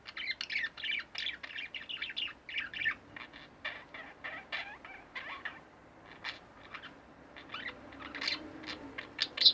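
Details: Two caged pet budgerigars produce a long stretch of scratchy chattering and quick chirps, steady at first, fading briefly, then rising again with sharper notes at the end.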